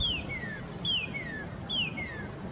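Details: Northern cardinal singing in Sapsucker Woods, Ithaca, New York, USA, on 20 February 2022: clear whistled phrases, each a high downslurred note followed by a lower slurred whistle, repeated about every 0.8 seconds.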